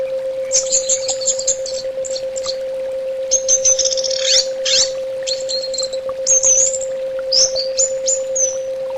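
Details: Orange-headed thrush singing on a bird-therapy recording, with fast bursts of high chattering and rattling notes mixed with short clear whistles, in a varied, rapid flow over a constant low hum.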